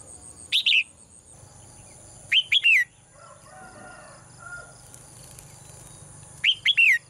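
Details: Caged female bird's morning song: three high chirp phrases a couple of seconds apart, the middle one with three rapid notes, each ending in a falling slur; faint hum and soft low sounds between.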